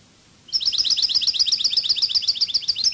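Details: Song of a European goldfinch, Cádiz style: after a short pause, a loud, rapid trill of high chirping notes starts and continues without a break to the end.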